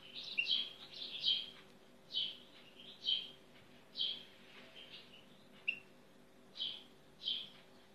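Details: European goldfinch (Carduelis carduelis) giving short bright twittered notes, separate chirps roughly once a second, some doubled, over a steady low background hum.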